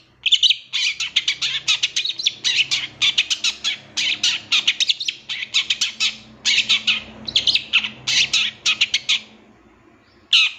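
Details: Long-tailed shrike song in a training master for captive birds: dense, rapid scratchy chattering bursts strung together for about nine seconds, then a pause and one harsh note, with low hum underneath.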